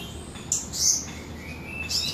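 A Blood-breasted Flowerpecker gives a few very high, thin, sharp ticking notes in quick bursts, with a faint rising whistle between them over a soft background hiss.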